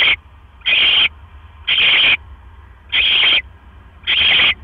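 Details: Hoarse, hissing screeches from a barn owl nest at night, 12 October 2015, while the male delivers a mouse; five half-second bursts about every second and a quarter, quiet hum between.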